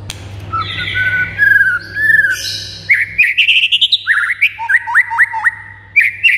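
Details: White-rumped shama song played to make silent birds respond and get worked up: soft wavering whistles open, then loud rising chattering runs and a series of sharp upward flicks spaced about a third of a second apart. Low hum present.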